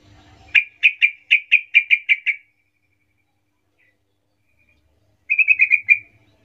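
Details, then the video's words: Sooty-headed bulbul lure call in 'gacor ngerol' fashion, aimed at calling companions and young birds: an even string of about nine clear whistled notes, a pause of nearly three seconds, then a shorter quick run. "suara pancingan trucukan gacor Ngerol memanggil teman"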